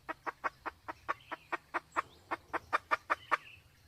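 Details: Sumatran junglefowl, male and female with the female in heat. A soft, evenly spaced series of about fifteen clucks, roughly four per second, over faint low background hum.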